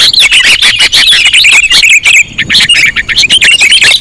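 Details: Sooty-headed bulbul calls used as a trapping lure: loud, dense, rapid chattering of bright chirps and short whistled notes, packed closely in continuous bursts with a brief pause midway.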